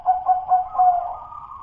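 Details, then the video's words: Local zebra dove of wild stock, its song still rough 'dudut-nutut' style, not yet fluent or 'gacor': a short burst of soft rolling coos, a few pulsed notes settling into a steady drawn-out purr. "suara perkutut lokal masih DUDUT-NUTUT BELUM LOS-NEGEL-GAYER&GACOR"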